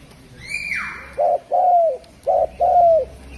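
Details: Spotted dove giving two rounds of its song, each a short soft coo then a longer, drawn, gently falling coo, after a high whistled note that slides downward; faint room hum beneath.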